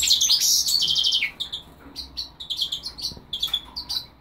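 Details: Singing goldfinch × linnet hybrid opens with a loud, buzzy, trilled phrase, then breaks into scattered short sharp chirps at an uneven pace.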